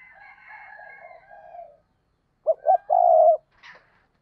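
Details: Caged decoy dove's lure call, a spotted dove: soft, distant, layered cooing at first, then a loud phrase of two short notes and a long low coo, ending with a brief faint note.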